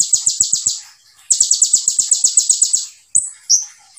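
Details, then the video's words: A sunbird sings a fast series of high, sharp, clipped notes, about six per second, in two bursts, then gives a couple of thin rising whistles. "KONIN GACOR FULL TEBAKAN RAPAT SEJALUR"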